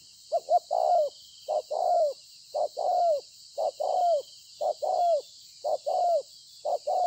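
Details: Spotted dove, a bổi, 26 September 2020, coos rapidly: about seven phrases, roughly one per second, each a short note or two then a longer falling coo, over a steady hiss.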